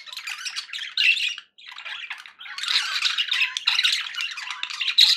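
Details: Happy pet budgies keep up a rapid, scratchy warble of chirps and squawks, broken by a short silence around one and a half seconds before the busy chatter resumes louder.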